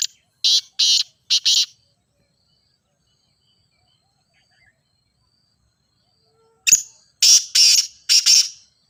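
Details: Loud calls of a grey francolin (teetar), played to get a silent kept teetar calling. One harsh three-note phrase, a long silent gap of about five seconds, then a second phrase: a sharp click-like note and three rasping notes.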